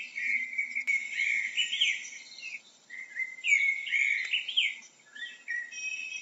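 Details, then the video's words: A blackbird sings rich, warbling phrases with squeaky, twittering flourishes, pausing briefly between bursts, over a faint high hiss. "How does a blackbird sounds"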